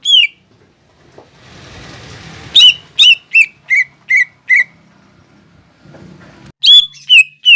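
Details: Green leafbird song for bird training, said to mimic fighting sparrows, lovebird and kolibri: clear downslurred chirps in quick runs, interrupted by a patch of low rustling noise and a brief hum.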